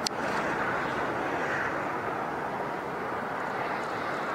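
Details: Steady broadband roar of a vehicle or aircraft with wind-like rushing and no animal sound heard.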